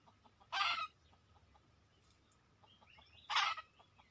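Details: Wild red junglefowl coming to a lure: two loud, coarse squawking calls nearly three seconds apart, with faint whistling birds and a soft repeated ticking behind.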